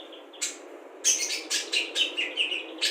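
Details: Budgerigar trained with imitated calls of cucak jenggot, kapas tembak, lovebird ngekek and fighting sparrows, meant as a tutor for songbirds; one high chirp, then a quick run of bright, clipped notes about twice a second.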